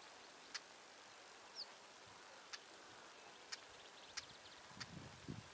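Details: Male Siberian stonechat, unafraid and staying near, with a female close by: one thin descending whistle among hard clicking tacks spaced about a second apart, then soft low rustling at the end.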